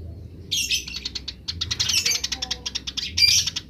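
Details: Wild Eurasian tree sparrow grece, with wild birds answering: a fast, uneven chatter of sharp chirps runs almost three seconds, briefly broken once, over a quiet low rumble.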